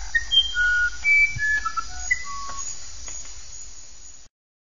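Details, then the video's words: Musician wren (uirapuru) singing a quick run of pure, flute-like whistles that leap between high and low notes, some sliding, over a faint low rumble. "Canto do uirapuru"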